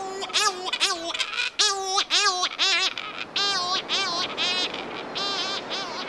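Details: Cory's Shearwater, a seabird common in the Atlantic, calls in a series of harsh, wailing, cat-like notes, each bending up and down, repeated in rhythmic bursts with several birds overlapping.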